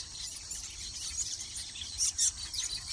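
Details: Baya weavers at their nests give a dense, high chatter of overlapping thin chirps and wheezy notes, with a few louder squeaky calls standing out near the end.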